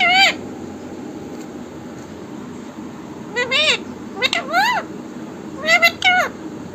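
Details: A parrot imitates speech, saying "Mithu Radhe Radhe": one short syllable, a long pause, then three quick phrases of high, bending, voice-like notes over low steady background noise.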